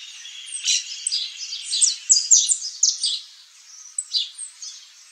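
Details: Saffron finch song of high, bright chirps and fast squeaky trills, dense in the middle then thinning to a few separated notes, with a light background hiss.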